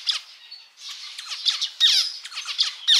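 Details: Pet male zebra finch delivering quick, buzzy notes mixed with short downslurred chirps in a fast, uneven sequence.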